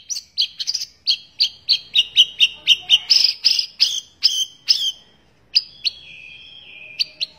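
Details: White-rumped shama song serving as training for other birds: a long series of loud, sharp doubled chips repeated steadily, then a few slurred whistles.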